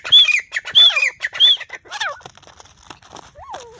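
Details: Black francolin calling: a few loud, harsh, high-pitched squawks with short whistled upward and downward slurs come in the first two seconds, then quieter scattered notes and one lower falling note near the end.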